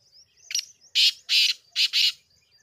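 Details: Black francolin call from 5-7-2023: one quick harsh note followed by four grating, buzzy notes in a paired rhythm, loud and close, with faint chirps before and after.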